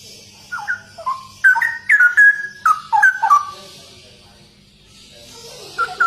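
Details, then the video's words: Cucak rowo, the straw-headed bulbul, in energetic ropel singing: a run of loud, liquid warbled whistles that sweep and drop in pitch, followed by a quiet gap and a brief soft resumption at the end. "Burung CUCAK ROWO Gacor Dor Abis Viral ROPEL"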